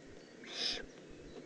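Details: A single drawn-out, breathy hiss from a juvenile Eurasian eagle-owl recorded in the Eifel on 18 June 2016, against low background noise.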